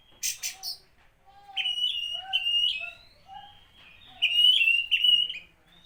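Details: Oriental magpie-robin singing to stir up other magpie-robins: a run of varied whistled phrases with lower mellow notes underneath, opening after a few harsh scratchy bursts, ending in a loud warbled flourish.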